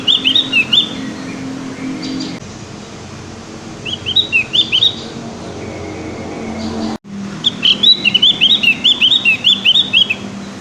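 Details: Young Javan grey-throated white-eye still learning its song, giving three phrases of rapid, high twittering chirps separated by pauses, the last phrase longest and fullest, with a faint low hum in the background.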